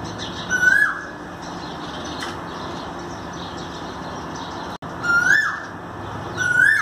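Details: An Asian koel gives three short, rising whistled notes a few seconds apart, with faint high chirps from small birds behind, in India on 5 May 2019.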